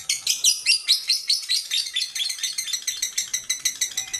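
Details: Aged female lovebird producing sharp, grating high chirps. A few louder, spaced notes open the run, then it settles into quicker, even chatter of about five per second.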